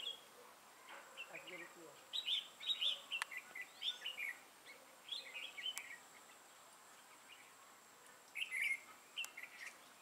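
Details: Red-whiskered bulbul used as a trapping decoy, with a dark bib, recorded 6 November 2018: bright warbled phrases around a few short notes, delivered in bursts every second or two, with faint clicks between them.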